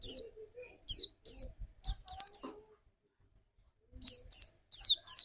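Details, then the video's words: Pancingan (lure) song of a white-eye, used to spur other white-eyes into fast 'nembak' song: clusters of sharp, very high descending notes, a quiet gap of about a second, then four quick downslurred notes again. "inilah rahasia bermain burung pleci pancingan di jamin pleci anda cepat nembak"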